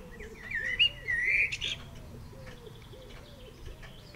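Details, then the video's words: Blackbird answering another blackbird with short fluty, slurred whistled phrases in the middle of the recording, while a pigeon coos repeatedly underneath in a low, regular rhythm. "Blackbird chatting with friend"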